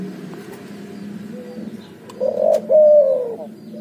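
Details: Hybrid of spotted dove and zebra dove giving a short cooing phrase: two drawn-out, mellow notes, the second longer and slightly falling, over a steady low hum.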